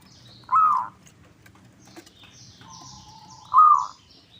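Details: Local zebra dove, used as a lure to make other doves call back: two loud, rounded mid-pitched coos about three seconds apart, with soft high chirps of other birds between them.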